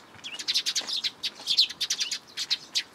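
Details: Juvenile sparrow coming to a plum tree at a shrine for food, June 2022; a busy run of sharp high chirps and twittering notes, almost continuous over three seconds.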